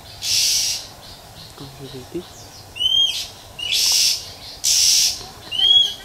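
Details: Female Oriental magpie-robin in natural habitat, giving calls meant to stimulate males. Hissing rasps and sharp upward-sliding whistles repeat about once a second, with a faint low knocking in the background.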